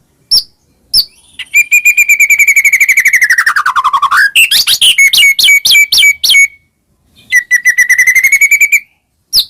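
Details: Murai batu song for provoking other shamas: a long buzzy trill that slides downward, a series of sharp upslurred chips, then another steady rising trill, with brief single notes at the start.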